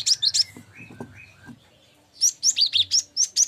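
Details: Cinereous tit song used as a tutor recording for training songbirds: an opening burst of high, sharp chirps, a short quiet gap, then a fast series of bright, swept whistled notes repeated about three times per second.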